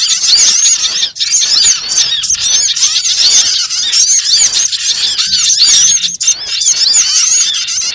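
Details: Small birds heard in a trapping lure, a nonstop jumble of high, thin, arching chirps from many birds together, broken only by a couple of brief dips.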